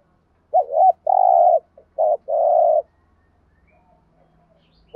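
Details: Captive decoy spotted dove giving the urging 'gù thúc' coo used to train newly caught doves: a wavering note and a long hoarse coo, repeated once, followed by quiet with a faint low hum.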